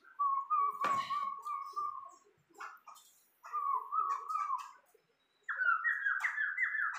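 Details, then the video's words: Tame, vocal Sumatran laughingthrush gives wavering whistled phrases, some climbing higher toward the end, with a few clicks and knocks in the background. "Poksay Sumatra super gacor"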